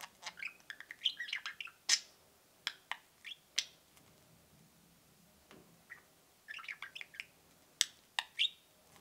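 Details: Two caged pet budgerigars peeping and cheeping: an opening burst of high squeaky chirps and twitters, then sparse sharp clicks and single cheeps, with a second short chattering burst toward the end.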